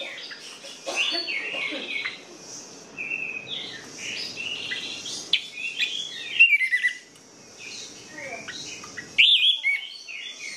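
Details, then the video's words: Orange-headed thrush in long varied song to spur sluggish birds, a medley of whistles, slurs and chattering notes, broken by short pauses, with a bright whistled flourish near the end and faint insect hiss beneath. "PANCINGAN ANIS MERAH MACET DAN MALAS BUNYI"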